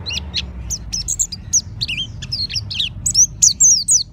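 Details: Loud, clear but hoarse song of a mountain white-eye: rapid high-pitched chirps and slurred whistles, at first scattered then tightening into a quick rolling burst near the end, with low background rumble.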